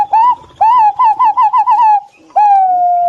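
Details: Green pigeons calling back and forth with rising whistled notes that break into a rapid series of about six quick, wobbling warbles. A long, smooth, gently falling whistle closes the sequence against a quiet background.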